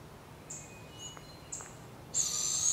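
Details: Barred owl with her young in the wild, Canada; two short high chips, then a loud harsh hiss starting near the end and holding steady, with quiet background.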